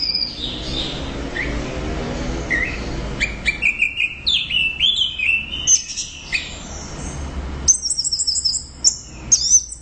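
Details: Orange-headed thrush singing loudly, starting quietly then breaking into a rapid medley of high whistled notes, slurred glides and sharp chips, the phrases getting denser toward the end.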